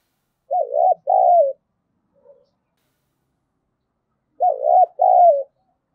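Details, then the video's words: Lure recording of a spotted dove meant to draw rival doves into calling, 'giọng thổ' style. Two identical coo phrases roughly four seconds apart, each a dipping short note then a longer falling note. Otherwise silent. "Tiếng chim cu gáy thúc bổi hiệu quả nhất - Chim Cu Mồi"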